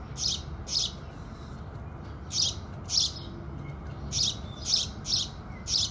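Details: Bright, sharp house sparrow chirps repeated about every half second to second, nine notes in six seconds, heard at sunrise against a quiet low hum.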